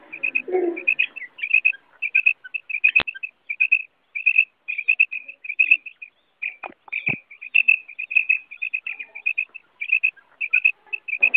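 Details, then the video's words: Female common quail (batair) giving a long run of short, high, squeaky notes in irregular clusters of two to four, with brief pauses, and a couple of sharp clicks in between. "new mada batair ki awaz female batair sound"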